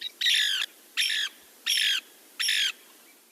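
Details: A Lewis's Woodpecker gives a call that is not exactly a contact call, function uncertain, perhaps its most common call: four harsh, nasal squawks about a third of a second long, evenly spaced less than a second apart.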